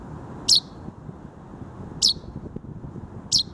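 A chaffinch chick gives three short, high, thin squeaks, spaced about one and a half seconds apart, over a low background rumble.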